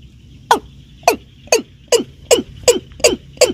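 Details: Watercock, locally called keb-keb, in a recording played by hunters as a lure: eight sharp, downward-sliding knocking notes, roughly every half second, over a faint steady high whine and low background rumble.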